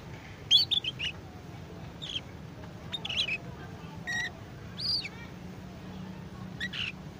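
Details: Learning AF canary chick doing ngeriwik: a quick run of sharp high chirps at first, then spaced squeaky notes and short twitters, with a faint low hum throughout.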